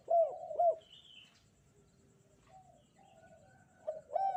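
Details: Spotted dove cooing with a lively kuk 2 style song on a bright morning: two loud arched coos open the clip, soft faint coos follow, then another loud pair of coos closes it, over a low background hum.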